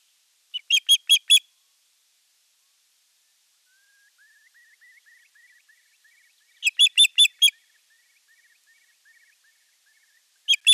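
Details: Osprey at Eurajoki on 25 April 2022, in sky dance and courtship display to an unringed female: bursts of four to five sharp, high chirping notes, separated by several seconds, with a faint thin twittering between them.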